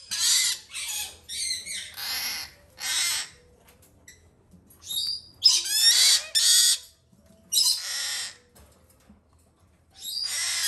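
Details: A White-bellied caique (green-thighed) male chick, domestically bred, on his third hand-feeding, gives harsh, raspy squawks in short bursts, roughly two per second with brief gaps, begging while being fed.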